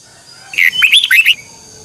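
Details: Red-whiskered bulbul giving a morning training song in the 'double twisting voice' style, recorded in 2021 for training other birds: one bright, warbling phrase of quick, slurred whistled notes lasting under a second, then quiet.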